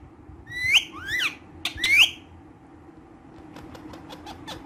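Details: Active pet ringneck green parrots utter three loud, harsh, rising screeches in about two seconds, followed by a train of faint, rapid, dry clicks.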